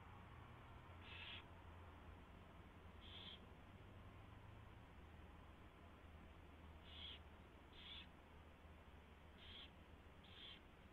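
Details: Owl nest at 4:21 AM on 24 February 2016 during a mouse delivery and feeding; six short raspy high calls, two early and four clustered later about a second apart, above a low droning hum.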